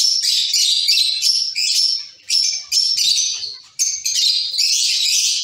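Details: Caged zebra finches in a colony call steadily, bright nasal chirps stacked and overlapping, broken by two brief pauses, the chatter otherwise continuous and high-pitched.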